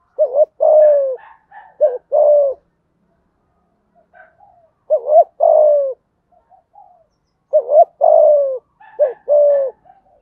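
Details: Deep-voiced (thổ) spotted dove cooing in thúc gù style to stir decoy birds. Coos come in pairs separated by pauses, each a wavering lead-in and a long sliding note, with soft chirping between.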